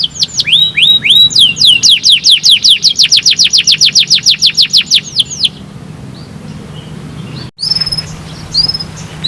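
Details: Canary song played as therapy to make other canaries start singing quickly: fast trills of rising and falling whistled notes, about 214 per minute, for five seconds, then a quiet gap and a few thin high chirps.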